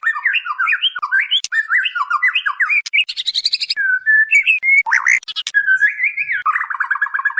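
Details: A female white-rumped shama calls the male in a lure recording: repeated bursts of zigzag whistled notes, a buzzy rapid stutter, a long pure whistle, then a fast even trill at the end.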